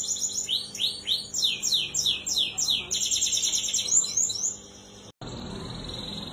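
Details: Canary singing, used to coax a silent canary: rapid repeated chirped syllables and a high rattling trill, ending in a sudden cut to steady hiss.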